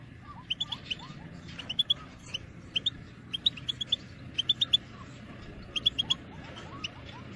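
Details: European goldfinch call-song from 2022: repeated clusters of high, thin twittering chirps and rising whistles over a steady background hiss.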